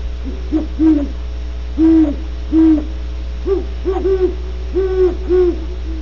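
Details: Great horned owls at Audubon Starr Ranch, California, giving deep, soft hoots in short groups, several rising and falling notes with overlapping hoots later on, over a steady low hum.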